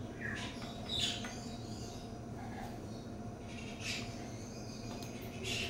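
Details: Scarlet macaw, a rehomed companion parrot near Charlotte, North Carolina, giving three harsh, raspy squawks about two seconds apart over a steady low background hum.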